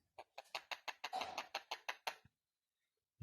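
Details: Indian ringneck parakeet kept as a talking parrot, giving a rapid run of about a dozen short, harsh, clucking notes spaced evenly over two seconds, then silence before a brief low thump; indoor room.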